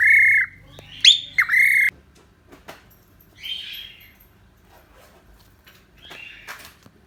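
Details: Cockatiel kept as a pet, giving a few loud harsh squawks and a rising whistled note in the first two seconds, then softer scattered chirps with quiet pauses.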